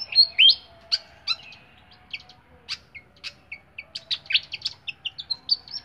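A flycatcher gives a lively run of high chirps and short whistled notes, some sliding, several per second, with a faint steady hum beneath.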